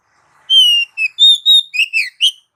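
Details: Short Oriental magpie-robin phrase for exciting pet birds: a long level whistle followed by several quick whistled and slurred notes, clean and loud.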